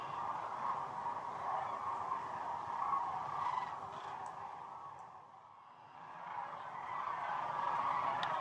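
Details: Vast flock of sandhill cranes on the Platte River at peak northern migration: a steady chorus of rolling calls that dips to a hush near the middle before swelling again.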